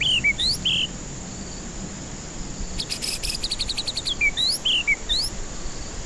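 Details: White-rumped shama song used as a lure to spur stressed birds that won't sing: clear whistled notes, some rising and some falling, a short buzzy rattling burst midway, then more bright whistles, over a steady hiss.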